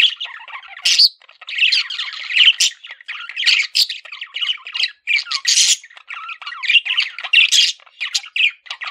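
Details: Male budgerigar, a pet parakeet, chattering in a long warble of scratchy squawks and quick chirps that tumble together with brief pauses, mostly high-pitched.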